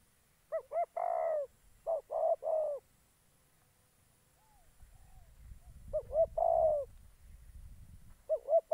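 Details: Spotted dove used as a decoy bird for trapping in Gia Lai, Vietnam: groups of low, hollow cooing notes, two short then a longer one, repeated with pauses, faint rustling noise in between.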